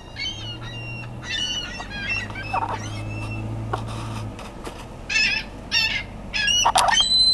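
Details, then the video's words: Feeding frenzy of ring-billed and Iceland gulls fighting over food. Loud bursts of harsh, rasping squeals from several birds, some quieter gaps, and a steady low hum underneath. "Seagulls gone W I L D"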